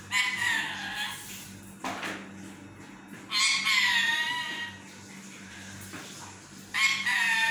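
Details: Pet yellow parrot talking in its sleep, wanting to take a nap: three bursts of drawn-out, raspy, harmonic squawks, each lasting about one to two seconds, separated by quieter pauses, over a steady low indoor hum.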